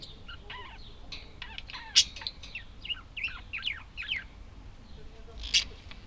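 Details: Budgerigars chattering: a quick sequence of wavering, swooping whistled notes with harsh click-like accents near two and five and a half seconds.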